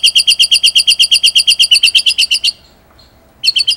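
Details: White-rumped shama singing energetically, a training recording with rolling and sharp 'shooting' song material: a fast trill of about twenty identical high chirps, evenly spaced for two and a half seconds, a pause, then the trill resumes.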